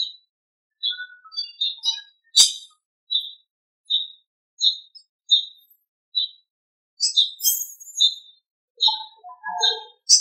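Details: Birds singing in the morning after rain: clear short whistled notes repeated at intervals of about a second, joined by higher twittering phrases and a few lower notes, in an otherwise quiet setting with one sharp click.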